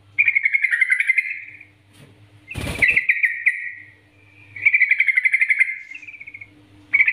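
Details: Training master of a yellow-vented bulbul singing gacor NGGARUDA style: repeated bursts of rapid bubbly chatter roughly every two seconds, one loud knocking thump mid-clip, faint hum between phrases.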